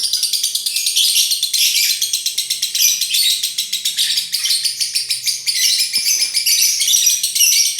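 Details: Continuous konslet song from a lovebird: fast scratchy twittering pouring out without gaps, high and harsh, with one brief click midway and a faint low hum.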